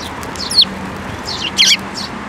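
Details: Eurasian tree sparrows gathering to be fed, with the year's first fledgling, at a Tenmangū shrine on 7 May 2024. Two rasping, buzzy chirps about a second apart, with quieter chirps around them.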